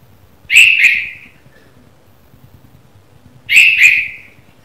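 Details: In the morning, a red-vented bulbul gives a bright, slightly husky two-note chirp, repeated about every three seconds against a quiet background.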